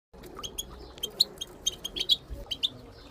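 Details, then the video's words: Moroccan goldfinches, including a female, giving group tibit-style calls used to stimulate silent goldfinches into singing: short sharp high chirps in uneven bursts of about one per second, some doubled, over a faint low hum. "ترويض طيور الحسون بتبتات المقنين لتحفيز المقنين بتبت حسون للتدريب"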